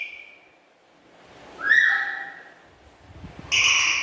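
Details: Pet black-capped lory chattering with a loud, melodious voice. A thin whistle fades out, then a loud harsh call slides upward. A second bright, buzzy burst follows near the end.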